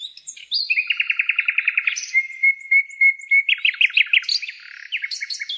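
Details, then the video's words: Songbird singing a rich varied song: a fast rattling trill of repeated notes, then a sustained steady whistle, then quick chirping phrases and high sharp notes. "kicau burung"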